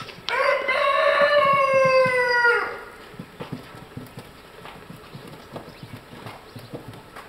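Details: Polish chicken of the white-crested black and blue-laced variety, recorded 3 June 2012 in Madiswil: a single long, harmonic-rich crow held for over two seconds, steady then dropping slightly at its end, followed by dry tapping and clicking noises.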